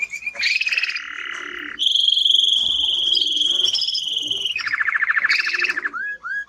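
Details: Male timbrado canary in strong song: long rolling trills, one low and buzzy, then a sustained bright ringing roll, then rapid repeated notes and falling whistled slurs.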